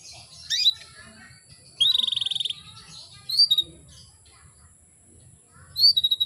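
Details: Female canary calling males into breeding condition: high chirps and fast buzzy rattling trills in short bursts, over a low murmuring background.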